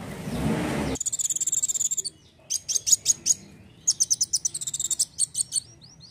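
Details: Rapid chattering sunbird song after a short burst of rough noise: a dense high trill, then repeated groups of sharp, very high notes delivered several per second, ending in short thin rising calls.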